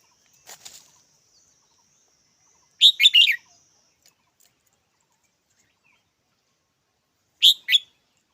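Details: Red-whiskered bulbul giving short bursts of chirpy notes at intervals of several seconds, with a soft fainter call at the start and long quiet gaps between.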